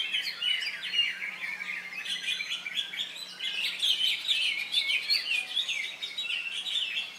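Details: Greater Green Leafbird performing at a songbird contest in Indonesia on a Saturday, having just finished moulting, and winning twice; rapid chattering whistles packed densely, with a low steady hum beneath.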